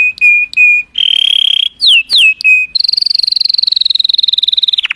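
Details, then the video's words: Cheerful colour canary song meant to stimulate females, with steady pure whistles, a buzzy burst, two sharp falling slides and a long, very fast high trill. "Cheerful Color Canary Singing Joyously part 2 | تغريد كناري رائع، لتحفيز الإناث"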